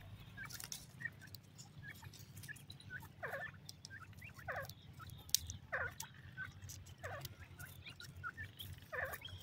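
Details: Male and female grey francolin calling with short whistles and broader, harsher down-sweeping notes, repeated every second or so, over a noisy background hum.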